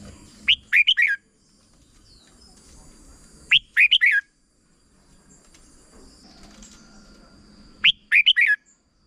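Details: Red-whiskered bulbul in Thailand singing a short double-style song used for teaching young birds: three brief bursts of quick, bright, bubbling notes, each about half a second long, separated by roughly three-second pauses with faint background hum.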